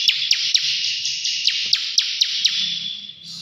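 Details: Bar-winged prinia pouring out a sustained buzzing 'ngebren' trill, sharp clicking accents repeating about four times a second, fading at the end.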